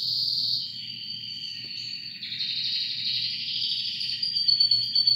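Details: Two canaries singing together with matching voices, long sustained high trills and rolling notes shifting in pitch, over a steady low hum.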